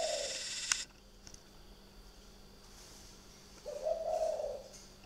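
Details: Spotted dove calling at night at a bird garden in Ba Vì, Hanoi, Vietnam: the tail of one low coo, a sharp click, a quiet gap, then a second fuller, mellow cooing phrase.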